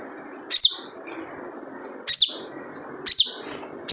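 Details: Sunbird (sogon) in the wild, lure call known as 'jrejet cuit': three loud, piercing high chirps, each a fast sweep down then slightly up, about a second and a half apart, with a clipped fourth note at the end.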